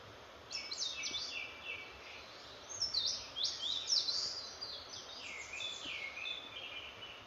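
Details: Wild bird song of high, fast chirping phrases with sharp downward slurs and trilled bursts, delivered in two main runs separated by a short pause, against constant faint background hiss.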